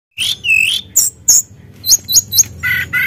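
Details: Sunda blue robin (tledekan gunung) in full voice, used as an emotion-stirring lure: short high whistles and slurred notes, some rising, some falling, broken by quick chips, then two buzzy lower phrases at the end.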